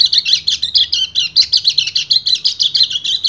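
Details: Male white-eye in breeding condition calling to a female, pouring out a rapid, high-pitched twittering song with regular pulses about five a second, steady and unbroken.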